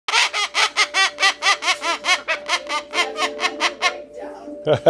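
A Moluccan cockatoo imitating laughter: a fast, harsh run of about twenty cackling bursts in five seconds that loosens and fades, over faint steady humming tones.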